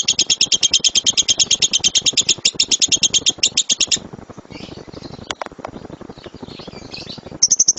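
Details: Lovebird giving the loud rapid-fire 'gemuruh tembakan' song used as a master recording to train other birds: four seconds of fast, piercing chirps, then quieter scattered notes and clicks, then the chirping starts again at the end.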